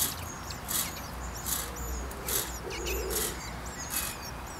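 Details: Common chiffchaff nesting in a UK garden during breeding; short, quick rising 'who it?' alarm notes repeat between sharp clicking bursts, with faint higher chirps from other small birds and a low background rumble.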